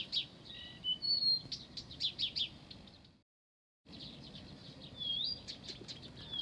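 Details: In Pavlodar, a Blyth's reed warbler delivers high chattering notes and slurred whistled glides in uneven bursts, briefly broken by a silent gap.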